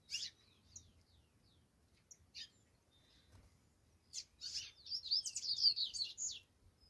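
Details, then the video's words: Saffron finch singing: scattered high chirps early on, then from about four seconds a dense, energetic burst of sharp, high twittering notes with quick slurred whistles, over a quiet low rumble. "Canário da terra cantando"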